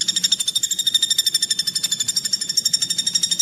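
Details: Greater green leafbird producing a continuous rough burst of very fast, high, sharp notes repeated several times per second, giving a dense, rattling, chattering texture throughout.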